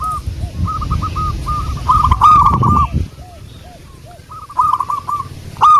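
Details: Zebra dove, local wild bird, song used as a lure: strings of hooked coos with softer lower coos, partly masked by a low rumbling noise mid-way before the cooing resumes.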